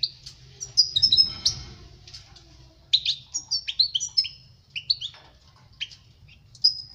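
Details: Goldfinch song for teaching young birds: scattered high tinkling notes and a faint rasp, then a lively run of twittering slurs and short rising whistles separated by pauses.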